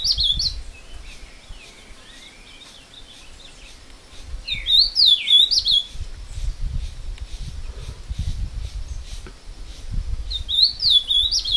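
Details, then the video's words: Ultramarine grosbeak in woodland near Passos, Minas Gerais, Brazil, brought out by its breeder to sing and fight a wild rival; three short warbled whistle phrases about five seconds apart, with low background rumble between them. "Azulão Cantando e Brigando com o solto no mato"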